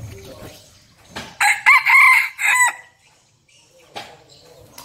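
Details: Decoy red junglefowl cock crows one short, harsh phrase in four clipped segments lasting about a second and a half, fading abruptly, followed by faint rustling and quiet background.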